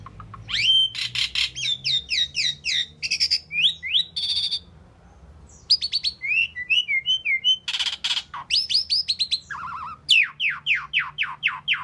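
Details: Asian pied starling song, a busy run of sharp downslurred whistles mixed with harsh broadband rasps and chattering bursts, repeated in rapid series with a short pause midway, ending in a string of quick falling whistles.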